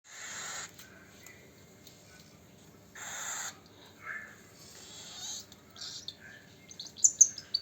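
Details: A hand-fed baby cockatiel gives harsh, hissing rasps in short bursts, begging for food.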